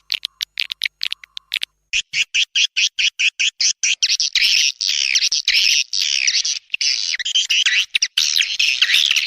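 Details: Swiftlet lure call from Borneo, Kalimantan, used to attract swiftlets: rapid series of short chirps repeated about twice a second, giving way to dense, continuous twittering chatter.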